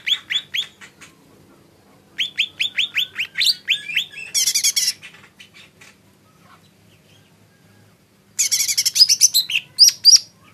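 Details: Lesser green leafbird song: bursts of rapid, rising, whistled chirps about four a second, mixed with harsh buzzy bursts of high notes, separated by short pauses of near silence.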